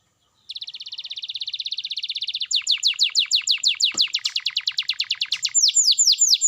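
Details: Canary song meant to get quiet canaries singing: opens with a long fine rapid trill, then switches to a brisk string of sharp descending notes, ending with broader arched whistles.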